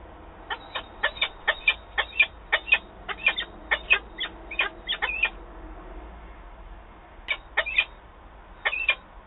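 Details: Male peregrine falcon calling to the female at a nest site in Wałbrzych, Poland, on 7 December 2022, while also picking at small stones; harsh, clipped notes in a rapid series of about a dozen, a pause, then three more.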